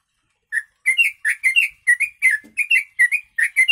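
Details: Yellow-vented bulbul song with imitated kutilang phrases, used for training birds: a rapid series of short whistled notes near the same pitch, each slurring up or down, repeated about three times a second; a brief low sound midway.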